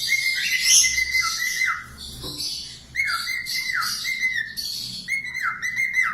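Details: Budgerigar singing for cockatiel training: continuous raspy warbling with level whistled notes that drop at their ends, repeated in phrases about once a second, with a short lull in the middle.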